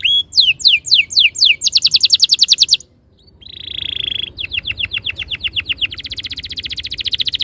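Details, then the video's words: Canary masteran song to prompt rolling: quick downslurred whistles, a dense buzzy roll, a second of near silence, a steady held tone, then a long rapid pulsing trill. "Suara mastetan burung kenari _ PANCINGAN AMPUH KENARI BIKIN CEPAT BUNYI NGEROL GACOR"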